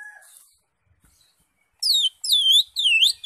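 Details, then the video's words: Greater green leafbird singing in the ngekek style: after a faint thin whistle and near silence, three loud, ringing, arched notes in quick succession, each sweeping down then up, with bright overtones. "CUCAK IJO SUPER NGEKEK"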